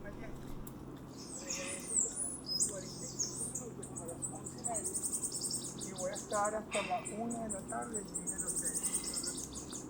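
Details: Bananaquit singing near Punta Cana, Dominican Republic: high, thin, buzzy trills, each over a second long and repeated twice, with other bird chirps and a man's voice in the background.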